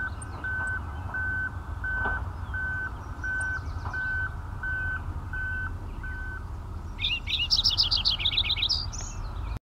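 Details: A Lincoln's sparrow singing beside Lake Superior, Marathon, Ontario, Canada, May 19, 2010: a brief, bubbly, jumbled high warble near the end, after a long run of steady mechanical beeps over a low rumble.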